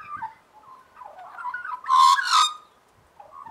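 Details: Soft, mellow warbling from a gang of Australian magpies singing in harmony, broken near the middle by two loud, harsh, rasping bursts before the gentle whistled notes return.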